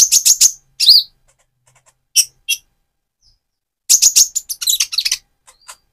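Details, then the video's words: Song of a speckled Van Hasselt's sunbird moulting to metallic plumage, played to stir another bird: quick bursts of piercing high chirps, then a pause, then another fast chattering burst. "Burung Konin trotol gacor untuk pancingan menaikan mental emosi kolibri ninja"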